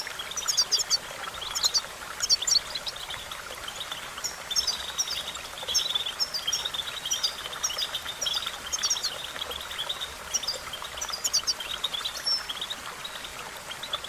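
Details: Goldfinch training recording with rapid, liquid twitters and sharp chirps in repeated groups every second or so, steady through fourteen seconds, backed by a continuous buzzing hiss.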